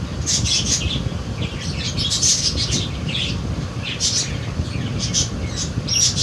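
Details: Budgerigar babies bred in 2022 give groups of harsh, high chattering squawks, repeated in short runs, with a steady low rumble throughout.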